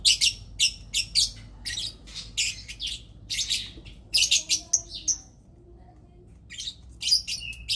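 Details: Lovebird mating calls: rapid shrill chirping bursts in a steady run, a brief whistled rising note, a quieter pause, then more piercing chirps.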